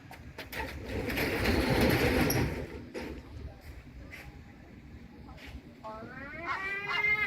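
A gull gives a short burst of harsh, harmonic yelping calls near the end, after several seconds of rushing wind or surf with scattered knocks.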